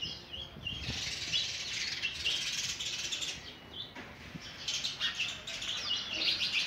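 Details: Nestling sparrows clamour as a parent tries to feed them oversized food, giving a dense, shrill, overlapping chatter of high chirps that swells and dips, with a few soft knocks underneath.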